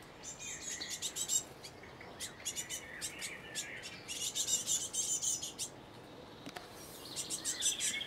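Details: Fledgling great tit begging for food in Cambridge, UK, on 28 May 2019 at 12:22 pm, giving quick bursts of high, hissy, buzzy begging calls, several per second in clusters, over faint background hum.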